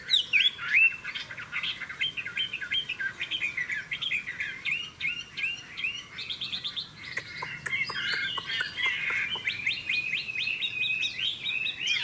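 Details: A caged Chinese hwamei sings in a contest against two other strong birds caged on either side, pouring out a loud, rich song of varied whistles, rapid trills and sharp repeated notes; a second bird may join in the latter half.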